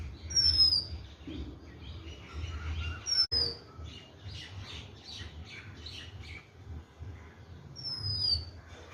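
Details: Oriental magpie-robin's high downslurred whistles, three of them spread across the recording, with softer varied chirps and twitters between them over a low outdoor rumble.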